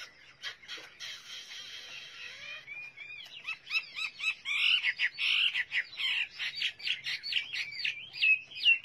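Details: Chinese hwamei in full song: a hissy, rough opening, then loud, rapid, looping whistles repeated several times a second, ending in a run of clear bouncing notes.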